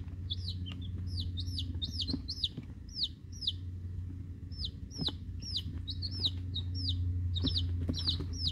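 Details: Group of eleven week-old chicks, Rhode Island Red, Black Sumatra and one mystery bird, chorus of rapid, piercing downslurred peeps, clustered and overlapping, with a steady low hum underneath.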